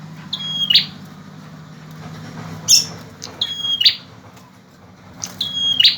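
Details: Male bar-winged prinia giving high, level whistles that end in short buzzy bursts, three or four phrases over a steady rumbling background noise.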